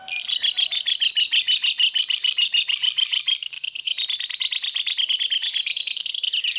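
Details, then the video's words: Lovebird in full song, a sound meant to spur other lovebirds to sing: steady, fast, high, scratchy chattering with twittering notes, unbroken and loud throughout. "Suara burung lovebird ini ampuh bikin lovebird lain ikut gacor"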